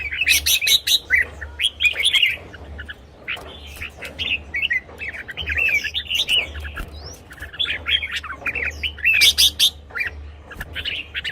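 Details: Red-whiskered bulbul song, for decoy use or to rouse caged birds. Dense, continuous chirping and warbling with overlapping phrases, loud bursts of sharp notes throughout, and a steady low hum underneath.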